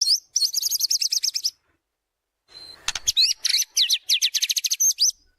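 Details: White-rumped shama song used as a lure for training birds, a busy 'gacor' bird unloading its repertoire: a rapid run of trilled high notes, a short pause, then sharp clicks and fast varied rising and falling phrases.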